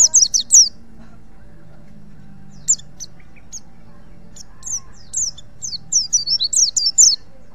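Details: A Pacitan white-eye (pleci) sings in quick, very high twittering bursts of thin rising and falling notes, clustered at the start and again in the second half; faint background hum.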